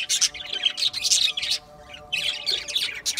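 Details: Several budgerigars give bursts of high, rasping chirps and warbled squeaks, with a brief lull near the middle before the chatter resumes, over a faint constant hum.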